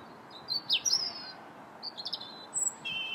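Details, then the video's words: Robin singing in January, on January 21st: thin, high whistled phrases and quick sliding notes, delivered in short bursts with brief pauses, over a soft background hiss. "Still the Robins Sing January 21st"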